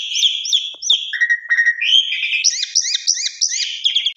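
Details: Asian pied starling in a fast-breaking lure recording: three upslurred whistled notes, then a low buzzy whistle and a quick series of repeated rising chirps, about three per second, crisp and loud.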